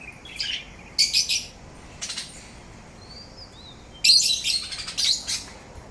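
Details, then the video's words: Parrot singing while grinding its beak: clusters of sharp, high chirps and squeaks in short bursts, broken by a brief pause with two soft whistled slurs midway. "Parrot grinding teeth and singing"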